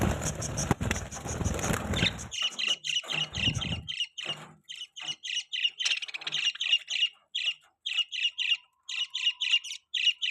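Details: Pet budgerigars chirping: after a burst of broadband rustling noise, a steady run of short, harsh, buzzy chirps repeats several times a second, with a faint low hum underneath.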